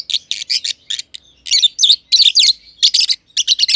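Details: Two lovebirds in an aviary, a green personata under a year old and a green pied personata, chirp steadily: buzzy, grating high notes, some sliding, packed into rapid chattering runs.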